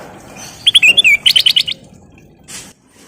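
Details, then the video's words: Sooty-headed bulbul in full song, used as a lure: a quick run of bright whistled notes, then a slurred falling note and a fast chattering series of about six notes. A soft hiss follows. "Burung Kutilang Emas Gacor full isian/Pancingan Kutilang Gacor"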